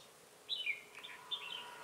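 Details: Red-whiskered bulbul decoy singing in a trapping session in Bình Phước, Vietnam, 25 June 2018, 'ché cười' style; a short warbled phrase of gliding notes, a brief pause, then a second similar fluted phrase.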